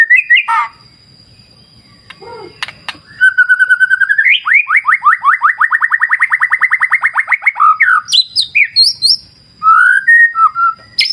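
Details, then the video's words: White-rumped shama (murai batu) with a river nature backdrop: a long fast train of repeated rising whistled notes, roughly eight per second, framed by brief varied chirps and sharp clicks, over a faint steady high tone. "Terapi Murai Batu Ala Alam Liar Sungai Jernih"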